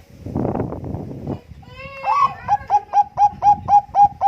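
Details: Bangkok-type Zebra dove singing in contest style as a lure: muffled noise, then a rising lead-in note and a steady string of short, bell-like coos growing louder.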